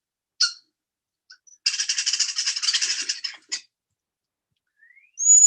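European Starling mimicking a hawk: a harsh, drawn-out scream of about a second and a half, with short clicks and a thin rising whistle at the end.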